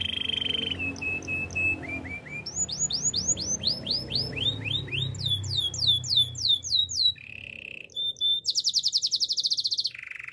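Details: A canary's training song mixing rolling trills, short descending whistles and repeated swooping notes about every quarter second, then a very fast high rattle and a lower closing trill.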